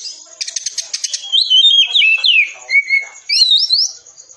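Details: Oriental magpie-robin training song, 'tembakan rapat' style for caged birds: opens with a fast stuttering rattle, then runs into loud swooping whistles, descending slurs and a final trio of bright upward-flicked notes.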